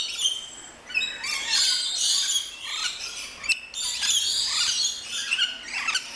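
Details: Many rainbow lorikeets in an aviary garden at an orchid farm in Luttelgeest, Netherlands, producing loud shrill screeches and squeaky chatter in irregular waves, with a few sharp clicks.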